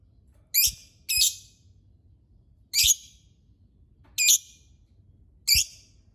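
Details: Lovebird giving five loud, harsh, high-pitched shrieks, each short and abrupt, spaced unevenly about a second apart, with near silence between them.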